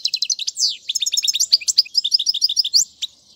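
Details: European goldfinch song used for tutoring chicks: a fast, unbroken twitter of high, bright chirps, trills and short rising and falling notes, packed densely over three seconds with no other sounds.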